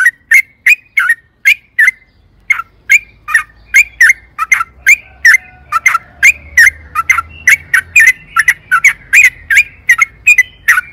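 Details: Sooty-headed bulbul in 'gacor' singing meant as a lure for caged birds: sharp whistled notes repeated every half second or so, quickening slightly toward the end, with soft low hum underneath.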